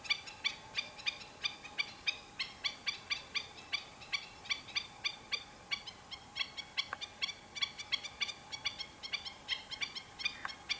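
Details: Black-winged stilts calling together: a dense, steady stream of short, sharp, yapping notes from several birds overlapping throughout, with no other clear sounds.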